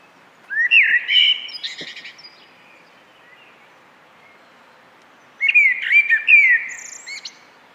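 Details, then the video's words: Common blackbird singing two phrases about five seconds apart, each a rich, fluty, warbling run followed by thinner, squeaky high twittering, in quiet surroundings. "Nyanyian Burung Common Blackbird (Turdus merula)"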